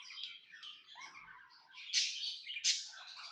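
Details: Tame pet budgerigar sounding happy, its soft rambling twitter of small chirps and buzzy notes rising into two sharp, brighter squeaky bursts near the end, within a quiet indoor setting.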